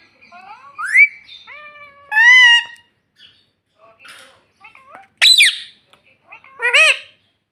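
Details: Pet parrot mimicking speech such as "mummy": rising whistled notes, a loud nasal syllable, quiet gaps, then a harsh squawk and a final arched call.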